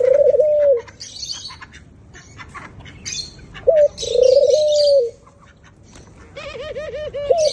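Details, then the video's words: White doves cooing with two long, even coos and a short lead-in note. The clip ends in a quavering, rapidly wavering coo. Scattered high, thin chirps of other birds run throughout. "White doves k itni pyari voice"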